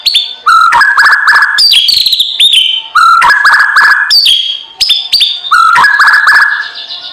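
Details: A lovebird, small colorful parrot, repeating a harsh, harmonic-rich phrase of squawky chirps and twittering notes about every two and a half seconds, loud and close.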